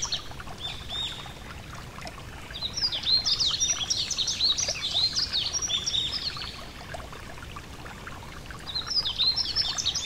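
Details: Yellow-throated bunting by a gentle stream: after quiet water sound, a burst of high, rapid twittering starts near three seconds and lasts about two seconds, then another jumbled phrase near the end, all over steady water noise.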